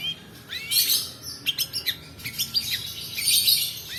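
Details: Long-tailed shrike song used as a lure for training other birds: rising whistled slurs, then a rapid chatter of sharp ticks and buzzy high notes, varied and rolling.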